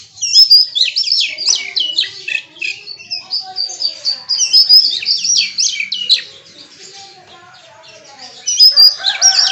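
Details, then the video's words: Oriental magpie-robin pouring out its 'isian' repertoire in a long rapid stream of high, scratchy, twittering and whistled notes, a brief lull near the end, then another loud burst; other birds faintly present. "Suara Burung KACER bongkar ISIAN"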